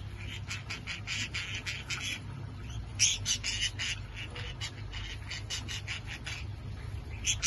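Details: Budgerigars pouncing on parsley to eat and play in it, with occasional disputes, chatter with rapid, scratchy chirps and squawks over a steady low hum.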